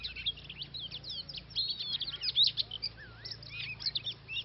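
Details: Oriental magpie-robin in song, recorded during trapping in Vietnam. Rapid sweet whistles, upslurred chirps and a few longer wavering notes tumble together continuously, with a steady low background hum.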